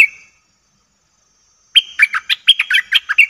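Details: Lure recording of a bulbul for wild birds: one short whistled note, a silence, then a fast run of bubbling, chattering notes.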